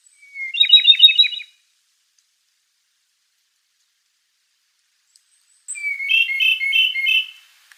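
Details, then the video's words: Okinawa nightingale singing: two bright, high trilled phrases about four seconds apart, the first a quick run of rapid warbled notes, the second a buzzy rolling flourish, with silence between and no other sounds. "El ruiseñor de Okinawa"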